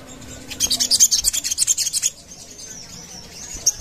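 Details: Sogon lure sound: a rapid run of about fifteen high, sharp ticking notes lasting a second and a half, followed by a thin, faint whistle.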